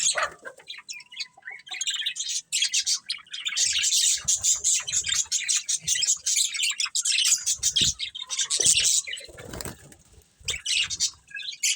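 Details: A colony of budgerigars with a breeding pair, chirping and squawking: a long run of high, scratchy twitters and warbled chatter, louder in the middle, easing toward the end, with faint low rustles.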